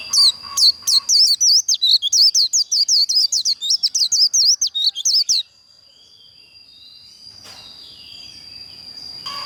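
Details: White-eye singing a líu contest song, used to train and provoke birds to sing in contests: a rapid run of sharp, high, sweeping whistled notes, roughly three per second for five seconds, over a constant thin high tone, then quiet.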